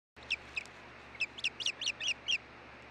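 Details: Osprey at a nest at Hellgate, Montana, on 16 June 2013 around midday, during a stick delivery and changeover: about eight high, sharp whistled chirps, spaced irregularly, over a steady low hum.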